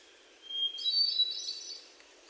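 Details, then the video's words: Hermit thrush in Sudbury, Massachusetts, June 29, 2023, captured with a Sony PCM D50 and lavalier mics; a long clear opening whistle leading into a tumbling phrase of fluty, echoing higher notes. "Hermit Thrush & Other Birdsong"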